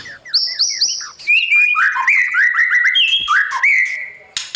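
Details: Training song of a white-rumped shama in the morning, meant to teach a young bird competitive singing. Repeated high double-note figures give way to bright, level whistles and fast rolling slurs, ending with a harsh burst.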